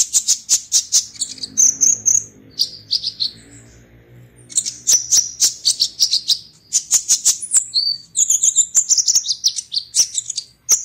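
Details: Konin (Purple-throated sunbird) entered in an online singing competition, from Serang, Banten, Indonesia: rapid high, thin chips and short sharp trills in bursts, with brief buzzy notes, faint low background hum.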